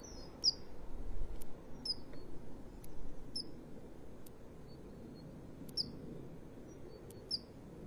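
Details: Begging female common kingfisher soliciting a fish from the male, 2 March 2015: piercing high whistled notes spaced about a second apart, over rustling and low rumbling noise in the first half.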